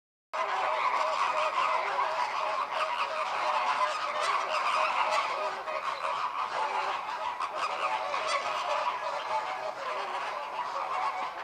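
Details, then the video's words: American flamingos in group courtship display, with synchronised head-turning and wing-opening meant to bring the flock into breeding condition together; a dense, continuous chorus of nasal goose-like honks from many birds, steady throughout. "Gruppenbalz der Kubaflamingos"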